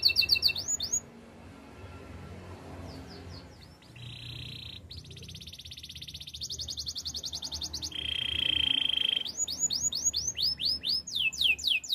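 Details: Belgian canary training song with quiet passages: scattered chirps, soft buzzy trills at different pitches, and a burst of quick arched notes at the close.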